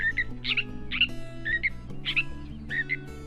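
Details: Catbird singing a mimicry song that includes imitations of a Sora rail, Western meadowlark, Wilson's snipe and Pacific tree frog; short chirpy and whistled phrases about twice a second, some buzzy, over steady background music.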